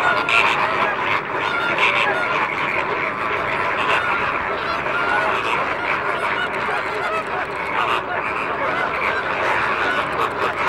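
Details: A flock of wild, free-flying greater flamingos from Italy, Spain and the Camargue at the Sigean African reserve, France, keeps up a dense, continuous goose-like honking and gabbling, many nasal voices overlapping without pause.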